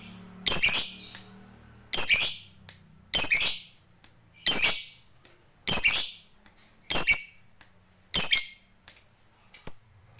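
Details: Fighter lovebird, its ngekek song used to rile rival birds, heard here as loud, harsh, screechy squawks spaced roughly a second apart, about eight in sequence with faint short chips between them.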